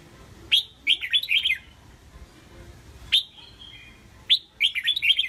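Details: Red-whiskered bulbul kept as a songbird for stage contests, singing a sharp rising note followed by a bubbling, wavering run of whistles, the pattern repeating three times with clean quiet gaps between.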